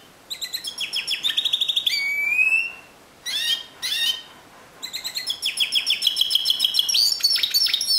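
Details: Timbrado canary singing in the discontinuous style: quick pulsed trills, a drawn-out falling whistle, two brief bursts after a pause, then a long run of rapid repeated notes that rises to a louder finish.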